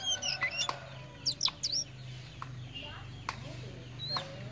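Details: Tame Oriental magpie-robin, locally called kacer poci or murai cacing, singing actively: a run of sharp, swooping whistled notes and quick slurred phrases over a steady low hum, with a few clicks.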